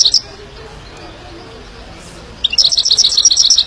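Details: Himalayan goldfinch singing: after a brief high note and a long quiet pause, a rapid run of bright, high twittering notes repeated about four times a second.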